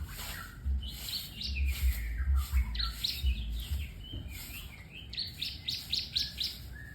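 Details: White-rumped shama (murai batu) singing moderately far off: bursts of quick, sharp chirps and short whistled notes in clusters, over steady high hiss and repeated low thumping rumbles.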